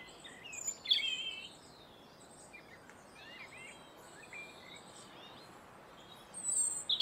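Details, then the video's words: A robin sings high, thin warbling phrases with brief louder bursts near the start and end, around garden feeders, over other faint bird chirps and a steady background hiss. "sounds of the robin"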